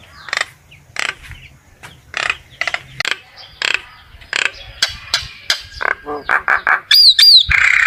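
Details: Common myna song calling the flock: a fast, uneven series of raspy chattering notes, then short descending whistles, ending in a run of sharp, high, looping whistled notes.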